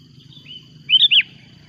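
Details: Sooty-headed bulbul noisily calling as a rival approaches, giving one fast, liquid phrase of three or four bubbling whistled notes, set against a constant high hum and low background rumble.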